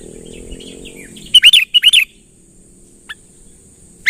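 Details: Calling to draw a rival closer, a sooty-headed bulbul gives a quick run of loud, clear, slurred chirps in two close pairs, then single sharp notes after a pause, with a faint steady high hiss behind.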